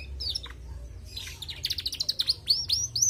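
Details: Female canary in lively song: a few thin high notes, then a fast rising series of rapid chirps and repeated upswept whistles, over a low background hum.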